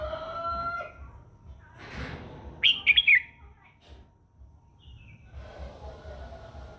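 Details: Red-whiskered bulbul singing in the morning for voice training and to spark song from other birds: a single loud, liquid three-note phrase midway, amid soft whistles and chirps from other birds.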